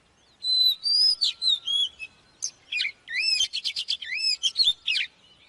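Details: Song of an oriental magpie-robin, used for training birds to sing: sweet rising and falling whistles mixed with bursts of rapid chirps and looping slurred notes, with clean pauses between phrases.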